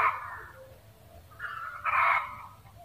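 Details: Cackle of a Red junglefowl: a loud raspy squawk opens, followed by softer clucks and a second strident, drawn-out cry that fades away.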